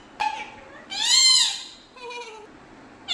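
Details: Pet parrot talking in Malayalam in Kerala, India: three short voiced, speech-like utterances with rich harmonics, the middle one longest and loudest with a gently rising then falling tone, and a brief sharp sound at the very end.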